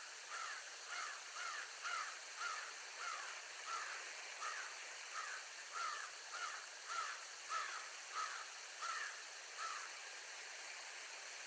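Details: Bald eagle parents calling: a long, even series of about seventeen short, high whistled chips, roughly two per second, heard through heavy broadband hiss.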